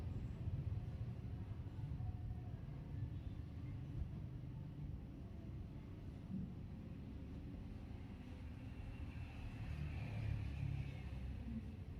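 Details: Steady low rumble of passing traffic and vehicles, with no animal sounds heard.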